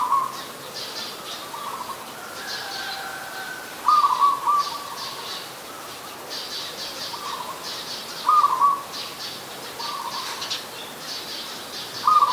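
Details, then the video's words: Zebra dove, adult, recorded in Ubon Ratchathani, Thailand on 28 December 2020, repeating a bubbling trilled coo about every four seconds, with softer echoing phrases between and a steady chorus of high bird chirps behind. "นกเขาชวา (Zebra Dove)"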